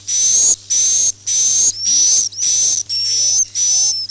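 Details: Swiftlet call in the 'Akau ngaji' style: a steady series of harsh, buzzy high chirps, each about half a second long with a thin whistled tone running through it, repeated nearly twice a second with short silent gaps.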